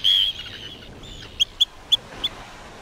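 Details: Arctic terns fighting as an interloper gets too close to another's nest: a harsh, high, grating screech, then four short sharp kip notes spaced about a third of a second apart.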